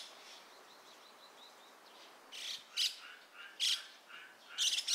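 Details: Dusky thrush (Turdus naumanni eunomus) at Gaikotsu-yama, 27 January 2021, giving sharp, high, squeaky call notes in irregular bursts after faint thin chirps; background sound replaced with separately recorded ambient sound.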